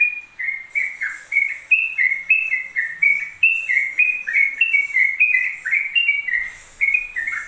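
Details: Yellow-vented bulbul singing a non-stop ropel song: rapid bubbly whistled notes that slur up and down, about three per second in an unbroken stream, with faint high hiss above.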